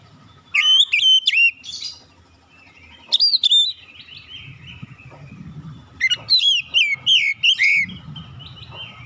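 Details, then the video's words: Song of an Oriental magpie-robin: three separate bursts of sharp, sweet whistled notes, the last a longer string of rapid rising and falling whistles, with low rumbling background noise between phrases. "KICAUAN INDAH BURUNG KACER"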